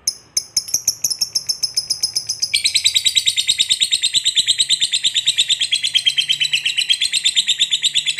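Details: Lovebird in long chattering song, used to provoke a lazy lovebird into singing: a fast, even train of sharp high chips, about three per second, becoming a continuous shrill trill partway through.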